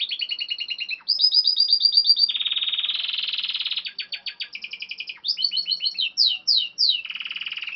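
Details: Timbrado canary singing a continuous, varied song of rapid rolling trills. Bell-like two-tone repeated notes give way to a long buzzy metallic roll, then quick chopped phrases and sweeping slurred notes, with no pauses and no other sounds.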